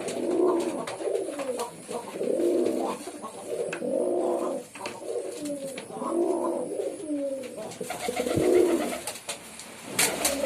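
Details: Pigeons cooing in a small room, a steady run of low, rolling, throaty coos repeated roughly every second and a half, with scattered clicks and rustles of movement throughout.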